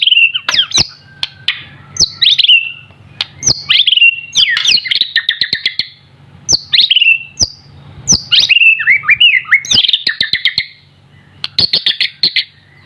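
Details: White-rumped shama, a young bird still in juvenile plumage, in full gacor song. It pours out varied high whistled phrases, falling slurs and rapid clicking trills with few pauses, over a faint low hum.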